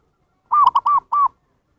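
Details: Zebra dove lure call for wild birds: a short burst of four cooing notes, two quick stuttered coos followed by two longer, smooth, arched ones, in quiet surroundings.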